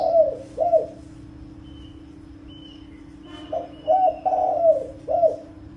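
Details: Spotted dove calling to lure wild birds: two soft coos, a quiet gap with a faint thin whistle, then a longer rolling coo phrase, all over a steady low hum.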